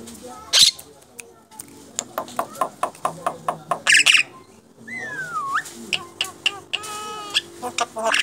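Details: Contest-champion Asian pied starling giving a rapid series of sharp squawks and clicks, a long slurred whistle, and harsher chattering notes, with people talking in the background.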